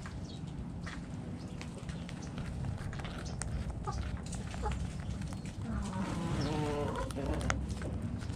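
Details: Backyard chickens eating in the coop; a drawn-out harmonic call rises and falls near the end over steady low hum and scattered pecking clicks.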